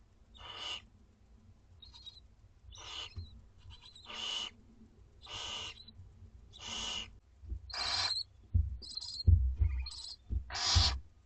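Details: Two-week-old Barn Owl owlets at dinner time in a school garden nest, an adult feeding on prey nearby: harsh, broadband hissing screeches repeated roughly every second and a half, with low rumbling and scuffling noises toward the end.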